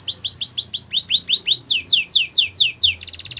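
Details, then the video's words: Song of a Belgian canary, a string of clear, evenly spaced whistled notes, first rising in pitch, then falling in faster repeated sweeps, ending in a rapid buzzy rattle. "Melodies canary bird song | Belgian canary singing"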